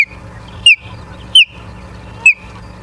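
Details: Osprey at a nest in Charlo, Montana, filmed by a live nest camera on 09/03/2023 at 18:54, giving three isolated, clipped whistled chirps spread roughly a second apart over a quiet low hum.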